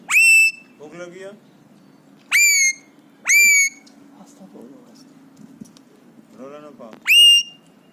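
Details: Pet Alexandrine parakeet, three years old, happy and excited and imitating whistles and screams: loud, clear whistles sliding sharply downward, repeated four times with gaps, between softer raspy chatter.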